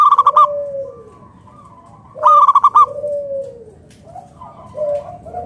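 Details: A local wild zebra dove, used as a lure to get other zebra doves calling, gives two bursts of quick, bubbling staccato notes, each followed by a softer, drawn-out coo, about two seconds apart.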